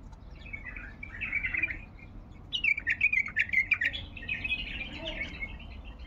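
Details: Baghdadi bulbul singing 'tayyarat' phrases: a warbled opening, a pause, then a longer run of loud, rapid bubbling chirps fading into softer warbles.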